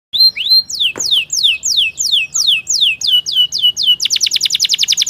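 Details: Atlantic canary song used as a remedy for a canary that is stuck and reluctant to sing: a rising whistle, then repeated falling sweeps about four per second, ending in a fast trill of sharp high notes.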